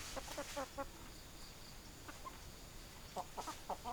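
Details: Chickens giving short clucks in bursts, a few quick notes early, a pause, then another flurry of clucking near the end, against a quiet hissy background.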